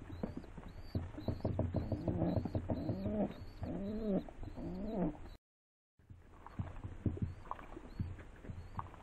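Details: Rock doves (Columba livia) give soft, throaty, rolling coos in a quick run of bowed phrases, with faint high chirps from small birds above and a brief break.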